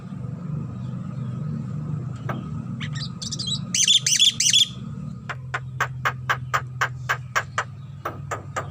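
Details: Javan myna singing its characteristic song while bobbing its head: a few harsh scratchy bursts, then a series of sharp clicking notes repeated about three per second, over steady low hum and background noise.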